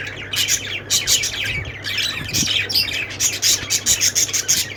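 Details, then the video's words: Parakeet chirping from budgies, with lovebirds also named: rapid bright tweets and rasping squawks repeated in a busy stream, strongest toward the end, with a low background hum. "budgies sounds"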